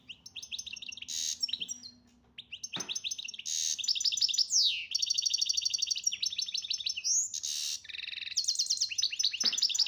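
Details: Algerian European goldfinch singing: a varied run of bright tinkling notes, rapid liquid trills, buzzy rattles and sweeping slurred whistles, loud and nearly continuous, with a faint low hum behind.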